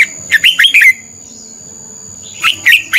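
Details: A decoy red-whiskered bulbul sings its fighting song for bird training: a quick phrase of four loud warbled notes, a second of quiet, then another short burst begins.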